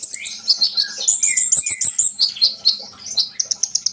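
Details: Sunbird singing, used to stir trainee birds into song: busy high twittering with thin drawn-out whistles, a few lower slurred notes, and quick repeated chips closing the phrase.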